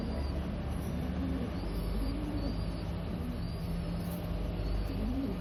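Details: Rock pigeon cooing: low, soft rising-and-falling coos recur every second or so, partly buried under a steady rumble of traffic noise.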